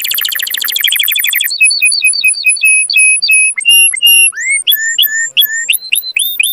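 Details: Mating-stimulation canary song: a fast buzzy trill gives way to spaced, clear whistled notes and upward-sweeping slurs repeated about three times a second.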